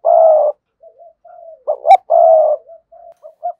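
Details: Spotted dove decoy bird giving 'sa gù' and 'thúc bổi' cooing styles: two loud, even, mid-pitched coos about half a second long, separated by softer short murmurs and a sharp double note.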